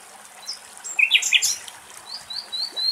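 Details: Common Nightingale song from Axios Delta National Park, Thessaloniki, Greece: a brief harsh burst of notes, followed by a run of thin, rising whistles repeated about every quarter second.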